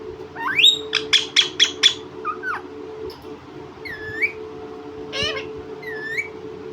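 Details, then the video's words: Pet talking parrot, said to speak mummy papa, gives a quick run of five sharp, evenly spaced clicks or chirps, then scattered upward-curving whistles and a short harsh note, over a steady hum. "Batooni Tota, mummy papa telking mittu parrot 🦜 bolane wala tota"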